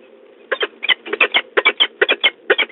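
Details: Peregrine falcons, a male and a female at the nest at De Mortel on 5 March 2022, giving harsh, clipped notes in a rapid chattering series, about four or five per second, over a faint low hum.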